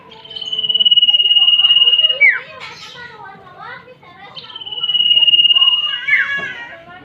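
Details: Common iora female and male calls combined as a lure for young birds: a long, steady, high whistle held nearly two seconds ending in a sharp downward slur, given twice, with softer chattering notes between.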